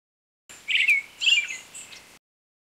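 A Brown-headed thrush gives two quick, squeaky, chattering notes with thin high overtones, about half a second apart, against a quiet background.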